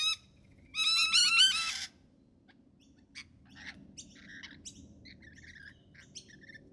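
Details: Rainbow lorikeet (Trichoglossus moluccanus) gives one loud, harsh, rasping screech lasting about a second, then fainter scattered high chirps over a low background rumble.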